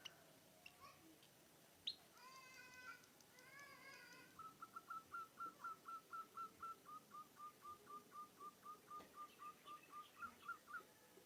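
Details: Munia copying a zebra dove's coo. Some brief other bird notes and chirps come first, then a long, steady series of short hooked whistles, roughly four per second, lasting about seven seconds.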